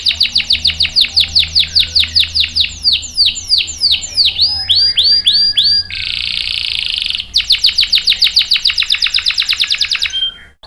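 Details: Varied canary song serving as a lure and tutor for young and stalled canaries. Sharp descending notes repeat rapidly, then come curved whistles, a dense buzzy roll, and a final run of fast repeated notes.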